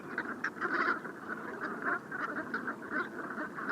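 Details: Wintering brent geese on the Bassin d'Arcachon at dusk on a rising tide, recorded with a parabolic microphone after returning from being flushed by a boat; short nasal calls in irregular bursts over a steady low background murmur.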